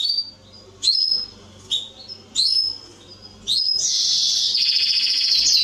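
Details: Canary song meant for training young birds: short separate whistled phrases with pauses between them, then a loud, sustained, high buzzing trill.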